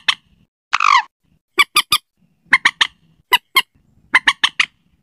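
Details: Slaty-breasted rail lure call for night: one rasping, descending squeal followed by repeated groups of three or four sharp, clipped notes.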